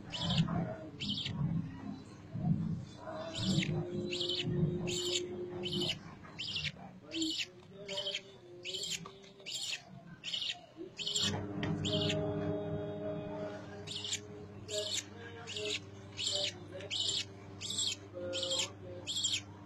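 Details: Budgerigar (Melopsittacus undulatus) chicks begging while being fed, giving rapid, raspy high chirps repeated in a steady pulsing rhythm.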